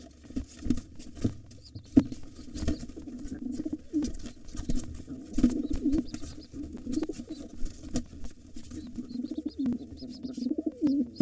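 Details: Wild pigeons fight at a nest with two nestlings as the white father drives off a gray intruder: repeated low, grumbling coos in bursts over about eleven seconds, broken by sharp clicks and wing slaps.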